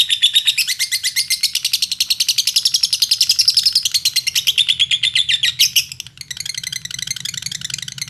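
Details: Lovebird singing in Indonesia as a lure for other lovebirds: long rapid trilling chatter of high notes, fluttering in pitch, fading briefly near the end before a softer, quicker twitter resumes.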